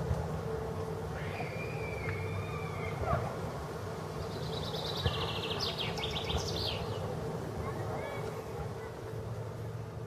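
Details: Common chaffinch recorded 18 April 2015 at the Tsaritsyno museum-reserve, Moscow. One song phrase of rapid high repeated notes descends to a final flourish. Another bird's thin whistled call comes before it, with a steady low rumble throughout.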